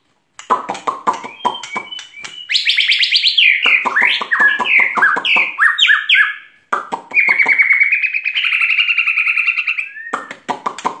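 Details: Energetic white-rumped shama song: a dense rapid rattle of clicking notes, then loud cascading whistles, then a long rapidly trilled phrase, with the rattling returning at the end.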